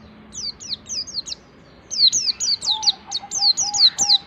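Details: White-eye in ngalas wild-style song, practising high 'nembak' notes to coax other white-eyes to sing. Fast strings of thin, high, falling chirps, joined halfway through by a steady mid-pitched tone.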